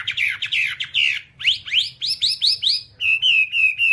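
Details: Hwamei singing in a training recording for kept birds: rich warbled phrases, then rising whistled sweeps in quick succession, ending with clear level whistles repeated three times; faint low hum beneath.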